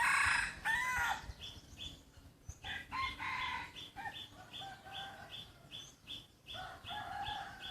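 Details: Naturally kept free-range chickens. A loud crow opens, and a shorter harsh crow comes around the third second. Evenly spaced high chirps tick along beneath, with brief wing-like rustles.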